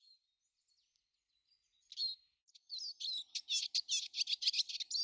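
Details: Eurasian siskin among many in a garden on 19 March 2013: quiet thin notes, then from about two seconds a rapid run of high twittering, buzzy syllables that grows louder toward the end.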